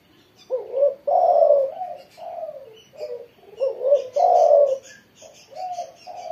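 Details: Vigorous song of a spotted dove after morning sunning: repeated phrases of a short rising coo followed by a longer, stronger throaty coo, several in succession, with light chirping from other birds overhead.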